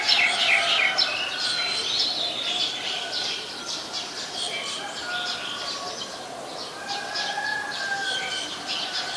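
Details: White-vented myna recorded in Ubon Ratchathani, Thailand, on 16 February 2020: busy, overlapping harsh chirps and squeaky chattering notes, rapid and continuous, with a few steadier whistled tones running beneath, loudest in the first second.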